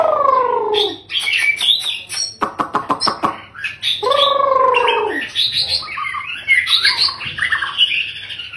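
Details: Loud, varied song from a male long-tailed white-rumped shama in captivity: descending whistled slurs, a rapid clicking rattle, then rich, tumbling warbles and bright fluty notes delivered without pause.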